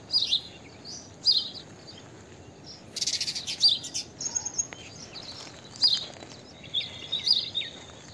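Blue-tailed bee-eater giving short, high rolling chirps in scattered bursts about once a second or two, with a brief rasping flurry midway and quiet background hiss.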